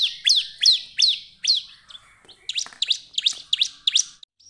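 Bar-winged prinia singing a rapid series of high, sharp chirps, each a quick down-and-up flick, about three per second, with a brief pause midway.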